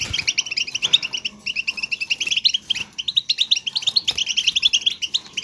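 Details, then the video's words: European goldfinch twittering song played to stimulate singing: rapid liquid chirps and trills in dense bursts, continuous chattering with brief pauses, no other clear sounds. "بتبتة , ضرورية لتحفيز حسونك على الغناء"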